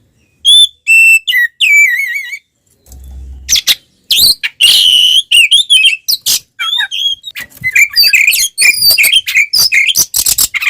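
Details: Magpie-robin (kacer) in combative, nonstop song with tail opened to provoke other birds: pure wavering whistles, a short low hum, then dense harsh scratchy notes mixed with rapid whistled phrases.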